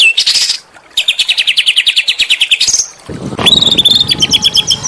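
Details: Small songbirds used as training song for Oriental magpie-robins, giving rapid, even series of sharp high chirps, first buzzy, then a steady rattling run, ending in bright whistled notes over a low rumble.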